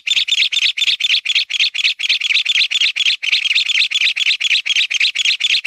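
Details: Mountain bamboo partridge (Bambusicola fytchii), call.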